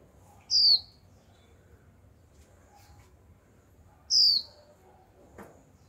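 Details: Young female Japanese white-eye giving its 'chíu' call, used to stir males into singing: two loud, high, thin notes sweeping downward, about three and a half seconds apart, over a quiet low hum.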